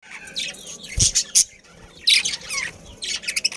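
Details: Captive breeding colony of budgerigars, a pair with family, kept in Karachi, giving bursts of harsh, buzzy chirps and squawks in short clusters, with a few low thuds between calls.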